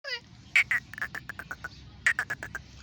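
A black francolin chick gives a run of short, high peeping notes, about five or six per second in two bursts, over a faint background hum.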